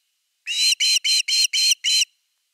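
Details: Osprey at nest #3 on a live nest camera in Finland, evening fish, 30 August 2021: six sharp, whistled, harmonic chirps in quick even succession, then silence.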